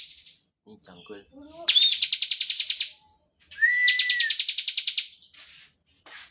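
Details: Provoking song of a bar-winged prinia in 'ngebren' style: after some low soft sounds, two dense buzzy trills of steady pulses, the second introduced by a smooth slurred whistle, then brief rasping notes.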